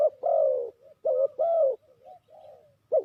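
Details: Spotted dove used as a lure for trapping, cooing a phrase of mellow, hollow notes: two strong falling coos, softer quavering ones between, and a final sharp coo, against quiet surroundings.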